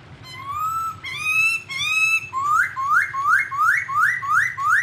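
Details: Songbird training recording of an unidentified bird: a few long upslurred whistles, then a quick series of seven rising whistled notes, almost two per second, clean and loud over a low hum.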